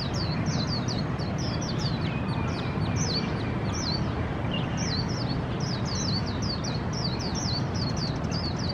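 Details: Song of Swinhoe's white-eye in a Taipei city park, Taiwan: a busy run of very high, thin, quickly slurred notes, repeated almost without pause over constant low-pitched traffic noise.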